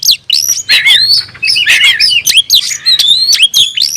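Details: Oriental magpie-robin in energetic song, tail spread, raising emotion to call a rival to battle; nonstop mix of rising and falling whistles, harsh chatters and clicks at high pitch, faint low hum behind.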